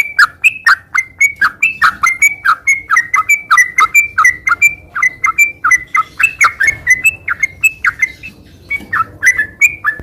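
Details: Lively sooty-headed bulbul singing nonstop in the 'ngeropel' style, a steady stream of short liquid whistled notes, some rising and some dropping, about three to four per second with barely any pause.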